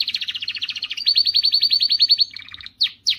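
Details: Powerful canary song to excite females: a fast run of repeated notes, then a very even rolling trill at a steady pitch. It drops into a softer lower stutter and ends with two sharp downward chirps.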